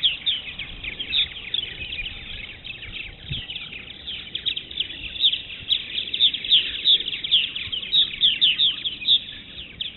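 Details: A steady chatter of purple martins (Progne subis) by the Maurice River: many overlapping liquid, gurgling chirps and croaks, high and busy throughout.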